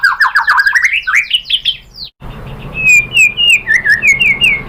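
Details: Shama (murai batu) song used as a lure to make another bird sing: fast rolling warbled notes climbing in pitch, a brief break, then a string of sliding whistled phrases.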